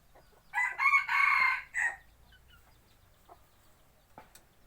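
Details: A rooster used as a hunting decoy gives a single loud, rough crow lasting about one and a half seconds, broken into several bursts. Soft clicks and faint background noise follow.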